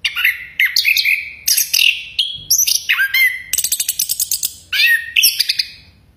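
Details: Chestnut-capped thrush whistling loudly: rich slurred whistles that swoop down and up, broken by bright chattering notes and a quick rattling series of clicks midway, delivered in close succession.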